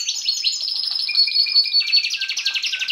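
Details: Belgian canary, 2016, singing to encourage chicks in the breeding season: a dense, unbroken, high rolling trill with fast pulsing notes throughout.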